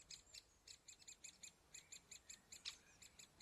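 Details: Great spotted woodpecker, likely young being fed by parents at the nest hole, giving a steady run of high, sharp chirps, about four each second, with one louder squeak near the end; nothing else is heard.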